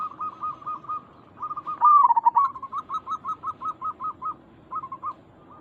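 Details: Actively singing local zebra dove, a calling sound to lure other doves into responding: a staccato coo series, one loud tumbling phrase, then evenly spaced clipped coos at about four per second.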